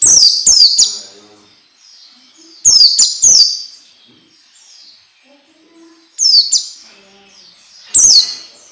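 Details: Young-bird training song (masteran) for orange-headed thrush: four bursts of two or three rapid, shrill descending whistles spread across the recording, separated by quiet stretches with faint low sounds.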